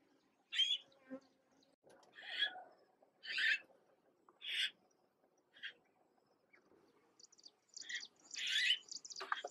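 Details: Red-billed blue magpie young, fledged and fed by a parent in Uttarakhand, India: a series of hoarse, rasping calls repeated about once a second, ending in a louder scratchy cluster with chirping behind.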